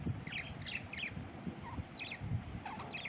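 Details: Pet parrot during its evening play routine: short, scratchy chattering calls repeated in quick bursts with a few lower whistled notes, over steady low background rumble.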